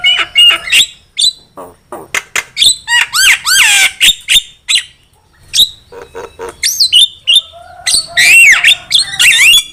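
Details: Javan myna (jalak kebo) song played as a lure for trapping birds, a dense mix of squawks, clicks, buzzy rasps and looping whistled slurs, phrases tumbling rapidly one after another with short pauses.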